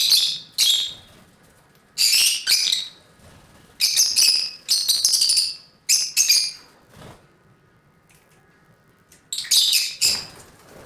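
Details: Caged lovebirds at play give loud, harsh, high chirps in short bursts, clustered and repeated irregularly with brief silences between groups.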